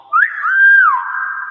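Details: Nias hill myna in its natural voice: one clear, pure whistle that rises sharply, holds a steady pitch, then slides down and trails off over about one and a half seconds.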